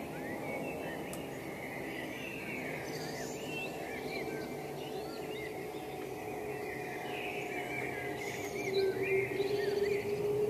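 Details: Wild birds singing at sunrise in spring near Bergen aan Zee, the Netherlands, at 5.34 a.m. on Tuesday 28 April 2015: faint, scattered chirps and short twittering phrases from several birds over a steady low hum and background noise.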